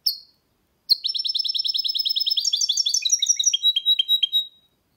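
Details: Goldfinch hybrid (mule) singing: a single high chirp, a pause, then a long, rapid, buzzy trill of repeated high notes that shifts into varied, lower twittering phrases before stopping.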